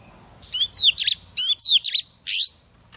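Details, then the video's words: Short phrases from a female Oriental magpie-robin used as a lure to excite males: three bursts of sweeping whistled slurs and a harsh buzzy note, with a steady high hum underneath. "CHOÈ THAN MÁI MỒI HÓT KÍCH TRỐNG ĐỈNH CAO"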